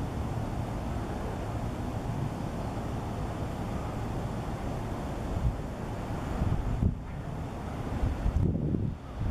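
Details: Heavy wind buffeting the microphone gives a constant low roar with a couple of brief gusts near the end, and no animal voice can be heard.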